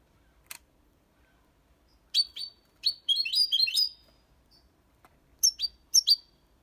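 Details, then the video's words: Young European goldfinch, six months of age, in clean Malaga copy song. Scattered high chirps and short twittering clusters are broken by quiet gaps, with a few isolated clicks. "Jilguero cantando Limpio 6 meses/ chardonneret chante la copia Malaga / Goldfinch singing"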